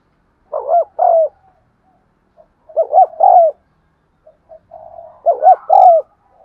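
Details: Spotted dove (Spilopelia chinensis) male cooing: soft, low, mellow coos in short grouped phrases, repeated every couple of seconds.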